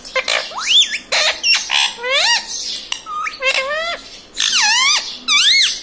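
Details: Pet green ringneck parrot talking and squawking loudly indoors; rapid string of harmonic, upward-curving speech-like syllables and shrill high squawks packed into about six seconds.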